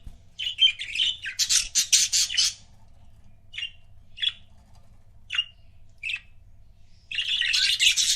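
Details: Couple of pet budgerigars chattering: a burst of harsh, buzzy squawking warble, then a series of single short chirps spaced about a second apart, and a final loud scratchy outburst.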